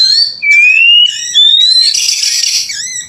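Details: White-rumped shama in full song, used as a lure so other shamas answer: long pure whistles sliding slowly upward, then a dense burst of harsh scratchy notes and a short falling whistle.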